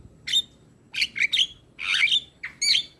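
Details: Asian pied starling, recorded as a morning training model for young birds: scattered raspy, scratchy squawks and chirps separated by short silences.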